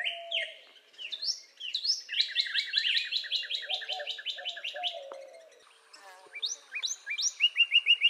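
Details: Northern cardinal (Cardinalis cardinalis), song.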